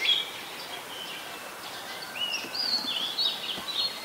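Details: Singing Oriental magpie-robin in Ubon Ratchathani, Thailand, 3 February 2023, captured with a Nikon P1000: softer, more distant whistled phrases, a few thin slurred notes early, then a brighter burst of rising and falling whistles over steady hiss.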